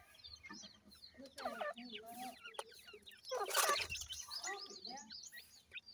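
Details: Grey francolin (teetar) chicks raised on a farm in Pakistan: a dense chorus of high, thin, downslurred peeps overlapping constantly, with lower clucking notes, a brief loud rushing burst midway and possibly a voice.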